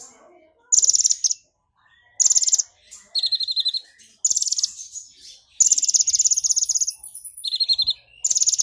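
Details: Excited brown-throated sunbird delivering a fast series of very high rapid buzzy trills in its song with mimicked golden grasshopper song, some pitched lower, with a thin whistled note near the end.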